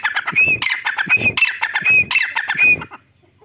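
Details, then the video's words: Grey francolin, the Irani teetar, giving four quick harsh, rasping phrases, each capped by a short high whistle, delivered in a rapid run before falling silent. "teetar ki awaz || teetar sound || teetar ki boli ||Irani teetar calling"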